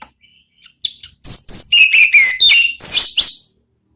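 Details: Anis merah song in the ngeplong style: a quick, loud run of clear whistled notes sliding between high and middle pitch, ending in higher, sharper squeaky phrases.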